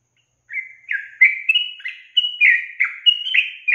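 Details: Female Yellow-vented Bulbul call that makes males join in answering: a brisk series of rounded, warbling whistles, several notes per second, jumping between higher and lower pitches in a cheerful, chattering phrase, recorded cleanly.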